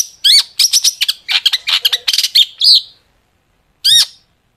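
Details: Long-tailed shrike song used as a lure to make shrikes sing; loud varied phrase of sharp rising whistles, harsh chattering notes and buzzy squeaks packed in quick succession, a pause, then one more sharp upslurred note.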